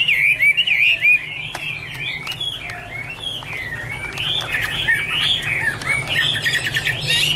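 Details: Chinese hwamei delivering a continuous rich song of looping whistled notes, some phrases bending up and down, with sharp clicks scattered through and a constant low hum beneath.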